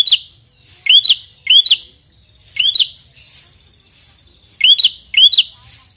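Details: Red-headed prinia singing persistently in challenge to a rival, with crisp upslurred whistled notes in groups of two, spaced by short quiet intervals and a faint lingering tone.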